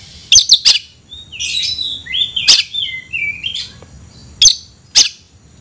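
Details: White-rumped shama calling an opponent to battle, giving soft warbled whistles between sharp isolated clicking snaps spaced about half a second to two seconds apart.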